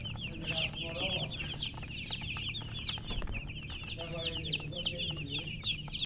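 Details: Many chicken chicks cheeping in dense, overlapping bursts of short sharp descending peeps. A few lower clucking notes come in around the first and fourth seconds, all over a low droning background.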